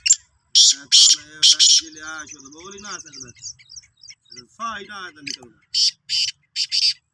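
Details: Calling Sindhi black francolin recorded 16 March 2023, repeating buzzy, rasping bursts at the start and end, with a man's speech in between and a faint thin whistle.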